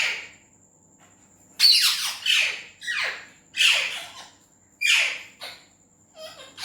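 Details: Indian green ringneck parrot, said to talk in Urdu/Hindi, gives loud raspy squawk-like phrases, each sliding downward, in a run of about six after a quiet start, with a thin steady whine behind.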